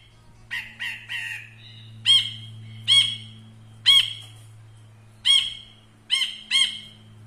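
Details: Ashy bulbul in captivity, a tutor bird for songbird training, giving bright ringing notes with rich overtones, first a short rapid rattle, then single or paired notes every second or so, with a constant low hum behind.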